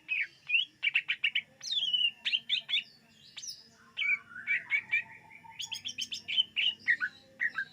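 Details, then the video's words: Lure recording of a greater green leafbird: a rich, almost continuous song of quick chirps, rippling trills and looping whistles, varied and fast, with a soft low hum beneath. "SUARA BURUNG CUCAK IJO UNTUK PEMIKAT"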